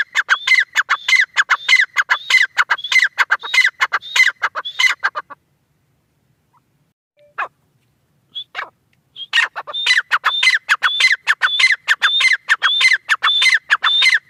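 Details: Francolin (teetar) calling: a fast run of harsh, clipped notes with a thin rising whistle on top, repeated about every half second. The bird pauses mid-way with a few scattered notes, then resumes the same rhythmic series.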